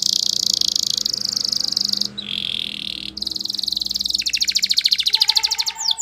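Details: Spanish Timbrado canary singing for training: continuous fast metallic trills in several blocks, one lower and buzzier, ending in a pulsing roll with a faint low tone below.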